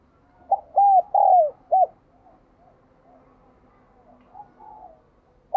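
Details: Spotted dove cooing: one phrase of a short note, two strong arched coos and a brief clipped ending note. Faint softer coos from another bird follow, with one more note starting at the close.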